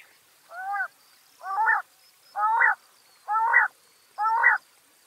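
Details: Backyard bird in Washington State gives five short nasal, honking notes with stacked overtones, evenly spaced about once per second against a quiet background.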